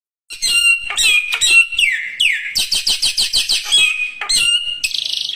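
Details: Lively songbird in full, energetic song: rapid varied chirps and whistled notes, then a fast run of evenly repeated sharp notes, ending in bright buzzy trills. The song is high-pitched, clear and close.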